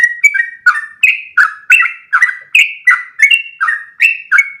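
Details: Yellow-vented bulbul singing a long, lively ropel song used as a tutor recording for other bulbuls: bubbly, warbled two-note phrases repeated about every 0.4 seconds, around ten in a row, loud and clean with no background noise.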